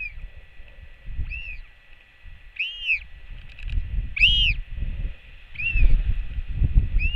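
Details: On a New Zealand nest camera, a royal albatross chick welcomes its mother back with a skycall: five arched, whining cries, the middle two loudest, set against steady gusting wind.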